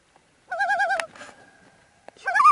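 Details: Common Loon, a shy bird of the great Canadian lakes, on a remote forest lake; a loud quavering call of rapid wavering notes, then silence, and a second call starting at the end.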